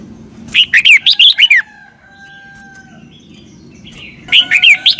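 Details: Red-whiskered bulbul doubled-style song from Thailand, used to teach young birds: two bursts of about six fast, warbled whistled notes, with a long, thin, steady tone and low hum in the gap.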